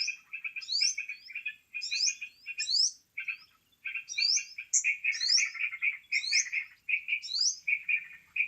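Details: Lure call of a sooty-headed bulbul for trapping birds: lively chattering phrases broken by short silences, with repeated upward-sliding whistles and one level clear whistle midway.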